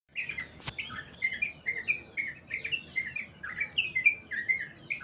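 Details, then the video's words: Sooty-headed bulbul giving a long song: a continuous run of short, chirpy whistled phrases at a brisk pace, bubbling notes repeated more than twice a second with irregular spacing, over a soft low background rumble and one sharp click. "trucukan goklik panjang"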